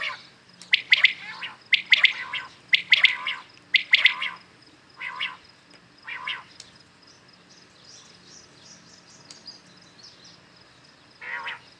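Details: Common quails calling in the morning: sharp three-note bursts repeated about once a second, each note high and clipped. Later calls are softer and spaced out, with a faint low hum underneath.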